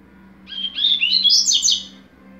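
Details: Coleira, the double-collared seedeater, delivering a 'tui tui zero zero' song phrase: quick chattering high notes rising and tumbling together for roughly one and a half seconds, with faint background hum.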